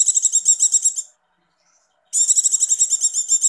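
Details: Javan white-eye female in breeding condition calls in quick high 'icir' trills, about a second of rapid beaded notes, a silent gap, then another fast chattering run used to stir male birds.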